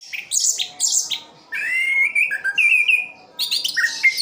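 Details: A captive orange-headed thrush kept in Sidoarjo, East Java, sings a rich, varied song: bursts of high buzzy twitters alternating with clear, slurred whistles, delivered continuously with barely a pause.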